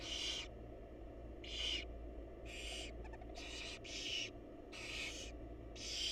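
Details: Barn owl mother feeding her chicks in a wild nest box: seven rasping, broadband hisses tumble out across six seconds, some overlapping, with a constant low electrical hum behind.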